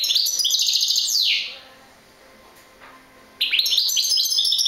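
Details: Rapid high twittering from a European goldfinch ends in a descending slur. After a quiet gap, a fresh burst of tinkling chirps follows.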